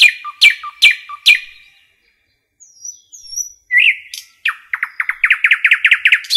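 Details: Nightingale singing in woodland: three sharp strokes with ringing tails, a pause with faint high whistles, then an accelerating run of loud rhythmic notes.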